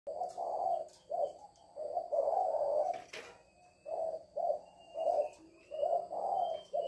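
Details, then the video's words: Female spotted dove giving the call known locally as "lối": a run of low, hoarse coos in short and drawn-out phrases, some joined into longer rolling notes, with faint clicks and a soft high whine behind. "Cu Mái lối"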